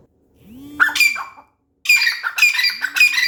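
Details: Grey francolin calling loudly: harsh, grating, broadband notes, one burst, a short silence, then a rapid run of rasping notes, with a faint low tonal hum beneath.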